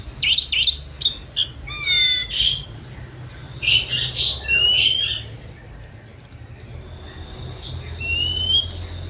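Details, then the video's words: Oriental magpie-robin (kacer) in 'manja' song: rapid clipped chirps and rising whistles at the start, then warbled phrases, a short pause, and long sweet upward-sliding whistles at the end. "Kicau kacer manja"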